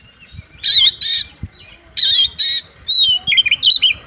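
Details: Female Oriental magpie-robin calling to a male to make him sing: paired harsh, rasping buzzes repeated twice, followed by a wavering whistle and quick jumpy chirps.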